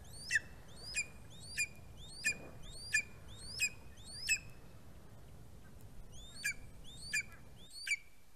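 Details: A greater spotted eagle chick fledging from its nest on a live cam, 11 August 2020, gives sharp, high yelping notes about every half second with a brief pause, over a low steady outdoor rumble.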